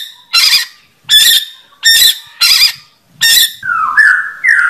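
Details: White-rumped shama giving five harsh, broad rasping bursts about a second apart, followed by smooth rising and falling whistles.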